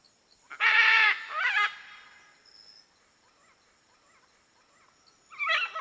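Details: Macaw letting out a raspy screech, then a shorter wavering squawk, a quiet pause with faint background chatter, and another screech at the end.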